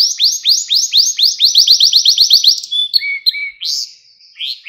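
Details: Canary song sung for training young canaries: long runs of rapid rising sweeps repeated about four times a second, followed by short whistled notes and a lower steady tone, all high-pitched.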